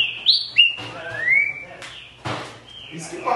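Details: Green-winged saltator whistling a short phrase of clear notes that leads into a long rising slur, followed by clicks and a steady held whistle.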